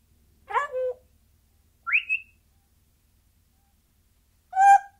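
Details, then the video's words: Single caged parrot giving sporadic, noncoherent chatter: a harsh harmonic squawk sliding down, a short rising whistle, then a buzzy nasal squawk, spaced over a few seconds in a quiet room. "Parrot Sp. Single Bird In Cage. Sporadic And Noncoherent Chattering."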